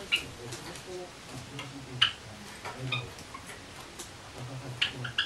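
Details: A white Java sparrow, on 25 Oct 2013, not separated from the male during his time out of the cage as usual, gives a few sharp, high chip notes at irregular one-to-three-second intervals, with soft human voices murmuring underneath.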